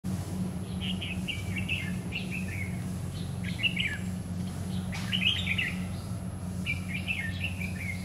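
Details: Red-whiskered bulbul, trapping with a lure bird on a stormy afternoon, 9 September 2019: short bright warbled phrases around 2–3k, repeated several times over steady low hum and a faint constant high whine.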